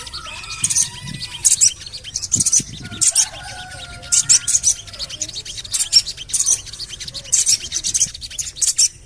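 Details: Javan cochoa call for luring birds into singing: bright high chirps in evenly spaced bursts of 'cuit cuit', with long faint whistled lines behind them.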